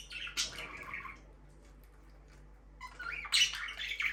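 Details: Budgerigar chirping indoors: a short burst of scratchy, warbled chirps, a quiet pause of about two seconds, then a second louder run of buzzy, chattering notes.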